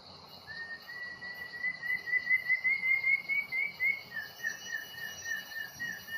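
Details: White-rumped shama with a long tail, just obtained from the forest near Bahorok, gives a sustained rising whistled trill followed by a string of repeated falling notes over constant insect buzzing.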